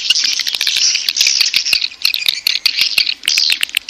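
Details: Swiftlet mating call for luring birds, edible-nest type: continuous busy twittering with buzzy chirps and quick ticking clicks, steady and dense throughout.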